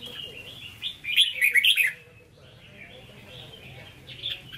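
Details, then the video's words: Red-whiskered bulbul in a cage giving Hue-style 'hót ché' song: one loud, quick burst of bright jumbled whistles, then softer scattered chirps. "Chào Mào Chuẩn Giọng Huế Hót Ché"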